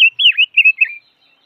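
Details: Silver-eared mesia giving one short, fluid warbled phrase of about five linked whistled notes, dipping and rising, lasting under a second, with no other sounds.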